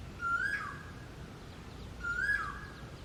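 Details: Asian koel, described as singing differently from other koels: two clear whistled notes about two seconds apart, each rising slightly then slurring down, over a steady hiss of outdoor noise.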